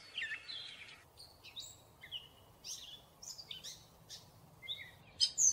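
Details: Gray catbird, somewhat distant, singing scattered thin whistles and scratchy squeaks separated by short silences.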